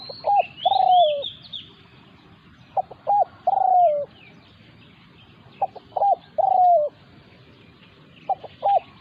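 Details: Spotted dove, a decoy bird confronted by a territorial wild resident dove, in Thailand. Repeated coo phrases: two short clipped notes, then a long descending croon, about three phrases in nine seconds. Thin high whistles from other birds are in the background.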